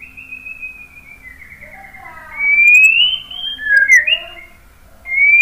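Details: White-rumped shama song of soft, drawn-out descending whistles that give way to louder, brighter upslurred whistles and a quick warbled flourish, with a fresh rising whistle at the end.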